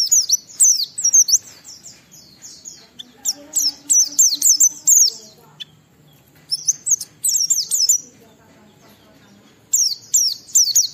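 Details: Oriental white-eye song played to lure other white-eyes into singing: bursts of very high, rapid twittering with sharp chirps and slurred whistles, phrases separated by pauses of a second or more, over a faint low hum.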